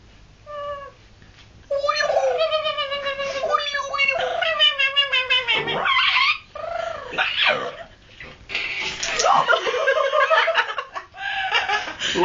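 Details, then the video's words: Amazon parrot making a run of varied, harmonic squawks and wavering, meow-like and speech-like notes, some rising and falling, while people nearby talk and laugh at it. "amazon green parrot making noises"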